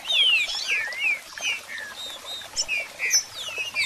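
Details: Green-winged Saltator: a busy run of clear, sliding whistles and sharp chirps, high-pitched and overlapping, coming several per second with no pauses, used as a stimulating song to fire up a kept saltator.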